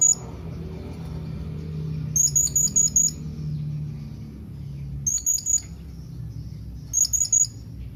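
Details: Blue-crowned hanging parrot calling to companions. Three bursts of rapid, piercing, very high chips, five notes in the first and about four in each later burst, spaced a few seconds apart over a faint low rumble.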